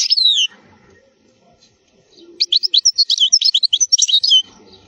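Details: A wild European goldfinch, recorded as a tutor song for young birds, sings a brief high slurred note, a short pause, then two seconds of rapid, liquid, tinkling twitters and trills.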